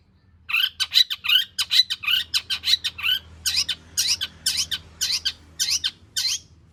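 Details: Long-tailed shrike in lively 'gacor full isian' song, used as a lure to draw out singing. It gives a run of harsh, squawky, chattering notes repeated several times a second, louder in the second half, over a low indoor hum.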